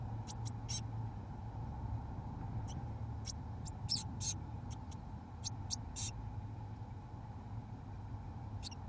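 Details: Seventeen-day-old Eurasian blue tit chicks in a nestbox, fed mealworms by both parents, give brief, high, thin begging squeaks in irregular bursts over a steady low hum.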